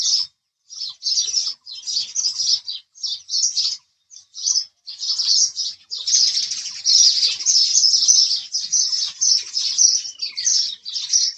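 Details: Chirps of house sparrows, first in separated clusters, then merging into a sustained, dense, scratchy chatter toward the end.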